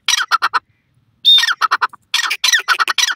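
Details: Harsh, rasping francolin calls come in two clusters broken by a short pause, one phrase opening with a clear high whistle before choppy squawks.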